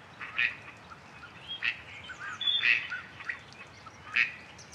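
A Gadwall gives short, nasal, reedy calls about every second or so, with faint high chirps from other small birds behind.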